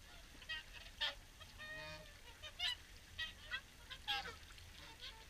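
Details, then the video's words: Swans calling during the evening feed at WWT Caerlaverock, separate loud honks roughly every half second to second over a quieter murmur of the flock. "Evening Swan Feed"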